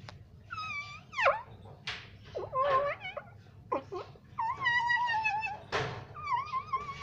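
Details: Pet parrot said to mimic the words "mummy papa": a rapid run of varied voice-like phrases and squawks, many sweeping downward, with a few rougher noisy bursts between them, indoors with little background sound.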